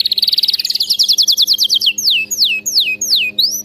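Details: Singing canary, for song training: a fast, even high trill that speeds into clipped notes, then several long, sweeping whistles dropping steeply in pitch, each about half a second apart.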